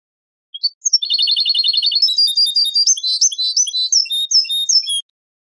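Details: European goldfinch song on a Moroccan Ceuta-style tape (sanfonia), recorded from birds entering through Ceuta with other wild birds' phrases added: opens with a steady, rapid buzzy trill, then breaks into varied high twittering and whistled notes.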